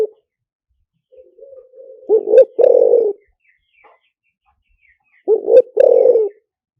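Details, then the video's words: Lio tan style decoy cooing of a spotted dove: soft quiet murmuring coos lead into two loud phrases, each a quick double note then a long buzzy coo, about three seconds apart. "เสียงต่อนกเขาใหญ่หมานๆ, เสียงนกเขาใหญ่ ต่อเข้าเร็ว เสียงหลิ่วตัน"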